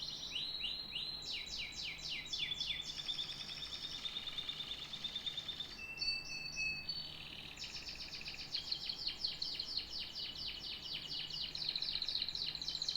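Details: Canary singing a long, varied song in distinct phrases: rapid runs of repeated downward-sweeping high notes, a steady buzzy trill, brief whistled pulses, then a long bright rolling trill. Faint low hum underneath.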